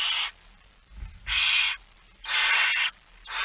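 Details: Rasping begging hisses from a barn owl at a feeding, 13 September 2019 at 06:57. Four long breathy bursts repeat about every second, with a soft rumbling bump in one gap.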